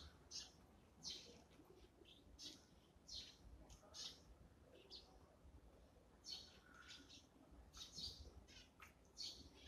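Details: Chattering Eurasian tree sparrow during its morning meal: many quick, high chirps in loose bursts, some overlapping, with light clicks in between.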